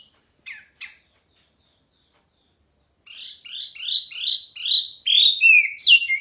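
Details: Hwamei, called Wambi Mini, singing loud and clear as a masteran tutor: two brief notes, a silence, then a quickening run of rising whistled notes that grows louder.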